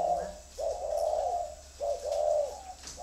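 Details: Spotted dove calling in clear phrases: a short coo, then a longer drawn-out coo, the pattern repeated with a brief pause between, mellow and low, in a quiet room-like setting.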